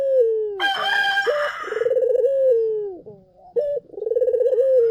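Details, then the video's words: Collared dove lure song for drawing replies from other doves. Rolling, throbbing coos that fall in pitch, each preceded by a short note, partly overlapped by a loud rooster crow early on. "SUARA BURUNG PUTER GACOR! 100% pancingan ampuh,puter kamu pasti katut"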